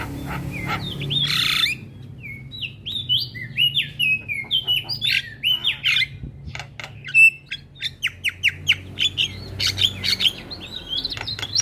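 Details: Black-winged myna song played as training to prompt a quiet bird to sing: loud harsh burst, then series of short whistled upslurred notes, followed by clicking, chattering notes over low background hum.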